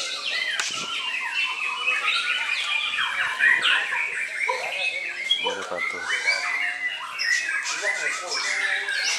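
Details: White-rumped shama singing a dense, varied run of sharp whistles, chattering notes and rapid rising and falling phrases, mostly high-pitched, continuing without pause through the recording.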